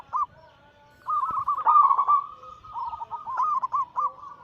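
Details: Perkutut lure chorus of crossbred zebra doves used to spur silent birds; one brief coo, a pause, then a long run of quick rolling, warbled coo notes.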